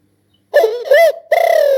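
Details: Spotted dove uttering a short coo phrase of two linked notes running into a long, slowly falling final coo.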